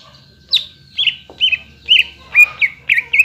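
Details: Greater green leafbird song meant to stir other leafbirds into singing: a steady series of short warbled whistles, about three per second, with a faint hum below.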